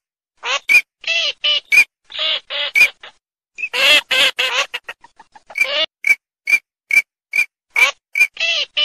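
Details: Eurasian teal calling steadily: a dense run of short high whistles mixed with grating nasal notes, a rapid stuttering burst midway, then evenly spaced crisp whistles about every half second.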